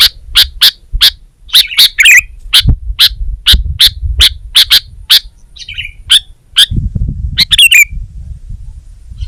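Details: Sooty-headed bulbul singing energetically in gacor fashion: a fast series of sharp, high chips, then scattered downward-sliding twittery phrases, with some low-pitched background noise late on.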